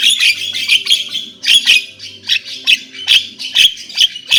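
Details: Javan myna repeating rough, buzzy squawks about twice per second, each note grating and broad, over a faint low background hum.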